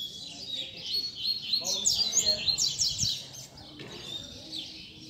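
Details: Double-collared seedeater (coleiro) tutor song used to teach young birds and to fire up a bird's spirit: rapid high, thin chirps and trills, dense in the middle seconds, with a voice talking quietly beneath.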